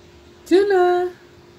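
A green junglefowl gives one brief crow, just over half a second: a harsh burst sliding into a steady, nasal, slightly rising tone over faint background hiss.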